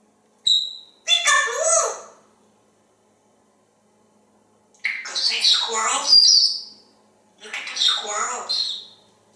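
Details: Male African grey parrot kept as a talkative house pet in Texas, talking at a window on a pretty day; three bursts of hoarse, speech-like mimicked words with a short whistled note at the start, separated by quiet pauses.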